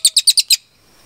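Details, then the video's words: Short snatch of velvet-fronted nuthatch (cililin) song for songbird tutoring: five quick, piercing high chips in half a second, then quiet. "MASTERAN CILILIN GACOR JERNIH TEMBAKAN PANJANG"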